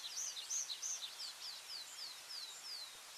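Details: Tree pipit song on a farm with semi-improved grassland and woodland: a quick, high, thin series of down-slurred notes, about three per second, with a willow warbler singing faintly behind.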